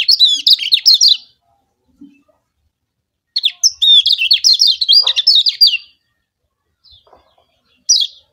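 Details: Yellow kecial of Lombok, a white-eye, in a lure song meant to make rival birds sing: long tumbling phrases of quick, high, twittering chirps and looping whistles, separated by silent pauses, with a brief short phrase near the end.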